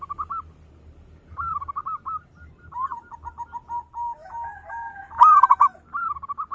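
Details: Zebra dove, a loud local lure bird, sings soft trilled coos, a longer rippling phrase, then a sudden harsh stuttered burst and another purring trill.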